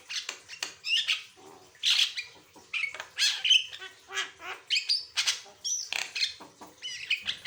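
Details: Varied song of a persistently singing Javan myna, meant for tutoring other birds and prompting them to sing: steady stream of raspy squawks, buzzy bursts and short looping whistles, nearly continuous across the phrase.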